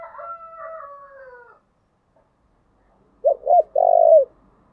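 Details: Spotted dove calling to lure others, covering thúc, gù and gáy gọi; a drawn-out falling whistle-like tone opens, then after silence two short coos and one long, level, throaty coo.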